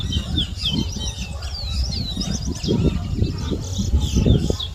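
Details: Competition towa towa seedfinch, Berbice, Guyana, 2022: a lively run of looping high whistles and twittering phrases continues throughout, with dense low crowd noise underneath.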